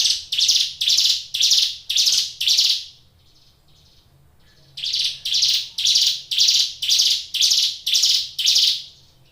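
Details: Caged Hill Prinia giving vigorous song: two runs of loud, rasping buzzy notes, about two per second, five and then eight notes, separated by a short pause.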